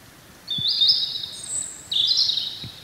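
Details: Free-living European robin in spring song, giving long, pure, high whistles held at steady pitch, then a very high thin note and a lower whistle ending with a brief flourish, against quiet outdoor noise.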